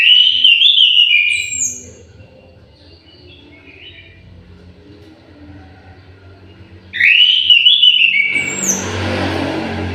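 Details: Song of an aviary-kept orange-headed thrush: two loud warbled phrases with swoops and high squeaky ends, separated by a quiet pause, followed by a burst of rustling noise.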